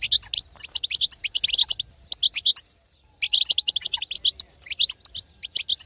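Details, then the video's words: Female goldfinch calling to excite a quiet male to sing: busy tinkling twitter in rapid bursts, broken by a clear pause around three seconds before the chirping resumes. "أقوى بتبته حسون تهيج وتهبل الحسون الساكت"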